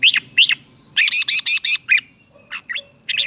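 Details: Caged Red-whiskered bulbul song from Thailand, used to stir other caged bulbuls or to train chicks. Two rising whistled notes lead into a quick burst of five repeated chattering notes, followed by softer chirps and a final bright phrase.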